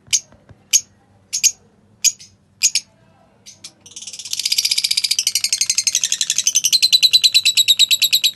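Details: Lovebirds, a pale fallow colour form, singing and chirping: a short run of sharp, high chirps about every 0.6 seconds gives way to dense, rapid, buzzy chattering of pulsed notes that fills the second half, over a faint low hum.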